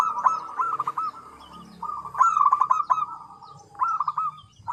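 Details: Zebra dove song: mid-pitched, bubbly cooing phrases of quick staccato notes that run into a rolling trill, repeated in bursts roughly every one to two seconds, with faint high chirps from other birds behind.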